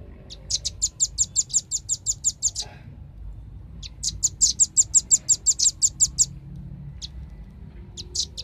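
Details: Used as a lure to attract birds, a velvet-fronted nuthatch gives two long bursts of rapid, evenly spaced, shrill high notes, each about two seconds, separated by a pause, with a few single chips after.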